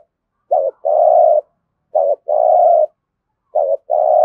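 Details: Spotted dove cooing in a Dong Nai, Vietnam competition style: a clear, low, repeated pattern of a short clipped note followed by a longer sustained hollow coo, three rounds roughly every one and a half seconds, in an otherwise silent background.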